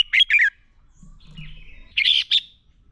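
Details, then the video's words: Red-whiskered bulbul singing a fighting song for training: two bright, buzzy whistled notes, a soft wavering phrase, then another loud pair of rich chirps at the end. "Chào Mào Hót Đấu Kích Bổi Lên Lửa. Luyện Chào Mào Sổ Giọng Hót Căng Lửa."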